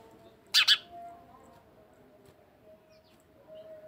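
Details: Two quick, sharp chirps from a house sparrow, then quiet with only a faint low hum.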